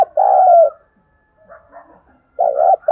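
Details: Decoy spotted dove calling to draw wild doves: a long mellow coo opens, soft murmurs follow, then another wavering two-part coo, a fresh one starting as it ends.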